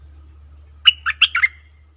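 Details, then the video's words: Red-whiskered bulbul singing in the double-phrase song style, with a clear voice: one short burst of four quick, bright whistled notes that alternate between higher and lower pitches, then quiet. "เสียงนกดอกแตงEp.97 Birdsound เพลงเบิ้ล/เสียงใสน่าฟังSuara pikat merbah lekir"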